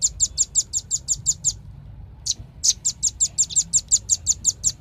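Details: Velvet-fronted nuthatch producing a quick train of high, sharp notes, a short pause with one lone chip, then a fresh rapid series.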